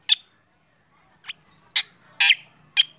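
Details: Black drongo morning song while being sunned, prompting other birds to sing; a few loud sharp chips and a harsh rasp with a quiet gap.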